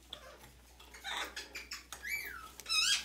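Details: A six-month-old baby red-fronted macaw, itchy with new feathers and wanting scratches, gives soft scratchy rustles, then two clear, high, falling squeaky notes near the end, each about half a second long.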